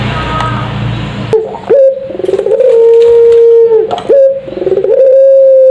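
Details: After a noisy start, a puter pelung dove lure call follows: short rising notes joined to long, flat, hollow coos, repeated about three times.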